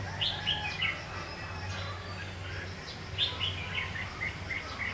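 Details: Red-whiskered bulbul acting as a trapping decoy, singing to incite fighting; quick bursts of bright chirping notes near the start and again after three seconds, over low background rumble.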